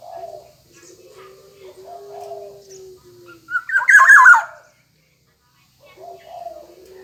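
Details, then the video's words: Singing Black-naped oriole: soft low warbles, then a sudden loud phrase of rich whistled slurs with a raspy overlay, followed by a short silence and more soft warbling. A steady low tone sounds behind it. "burung kepodang emas gacor | suara burung kepodang gacor"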